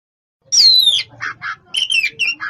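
Oriental magpie-robin singing loud, high phrases: a long falling whistle, then several harsh, scratchy chattering notes packed into about two seconds.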